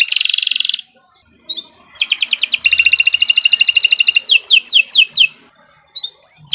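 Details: Canary song intended as a training master: a buzzy burst, brief silence, then a rising whistle, a long rapid rolling trill and several swooping downward whistles, with quiet gaps between phrases.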